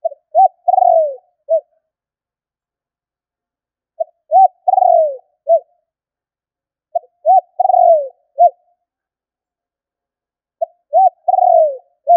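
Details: Lure call of a spotted dove, four repeated phrases roughly every three seconds: clipped note, arched coo, long trembling coo sliding downward, then a short ending coo, with nothing else audible.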